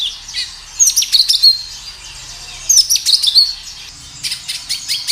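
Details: Kinoi in full song outdoors, played as a lure to get kinoi calling back: two phrases of rapid sharp high chirps about two seconds apart, then a softer third burst of chirps.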